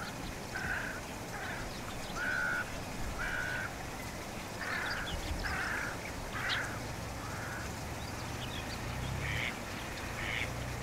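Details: Black-headed gull recorded with a Sony ZV-E10 camera and RODE VideoMicro microphone: harsh, nasal calls repeated about once a second, some short and some drawn out, several overlapping as if from more than one bird, over steady low background rumble.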